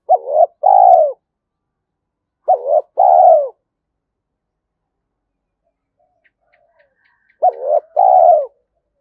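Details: Spotted dove call used to rouse a caged decoy dove: three low two-part coos, each a clipped opening note followed by a fuller drawn-out one, spaced about three to four seconds apart, with near silence between phrases.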